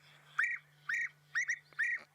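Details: European bee-eaters calling while flying high overhead, hard to spot, on an evening drive; the guide thinks they indicate rain. Four rolling, liquid 'prrup' calls about every half second, each a short bubbly trill, over a steady low hum.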